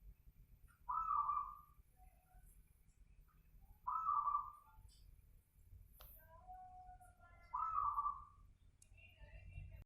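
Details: Night recording of a local zebra dove: three clear purring coos spaced about three seconds apart, each a quick rising trill settling into a level roll, with a faint click and soft tone in the background.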